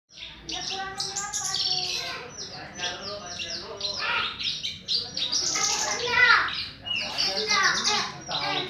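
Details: Javan bush lark singing in the morning: a dense, rapid jumble of chirps, trills and harmonic slurred notes with short sharp ticks, running almost continuously across the clip, some phrases sounding voice-like.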